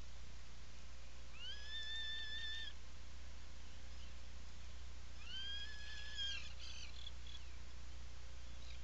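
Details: Atlantic puffin inside its nesting burrow, Seal Island National Wildlife Refuge, Maine, mid-July 2018 afternoon; two drawn-out rising calls about four seconds apart, the second ending in broken, stuttering notes, over a low steady drone.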